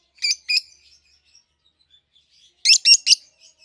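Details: Pair of captive peach-faced lovebirds, 7-8 months old, red-headed green opaline and red-faced dark green, gives two shrill chirps, then a long quiet gap, then three rapid harsh chirps.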